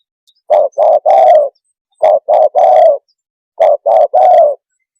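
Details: Spotted dove repeating its call, said to make other birds emotional: three identical phrases, each two short low coos and a longer purring note, spaced roughly every one and a half seconds.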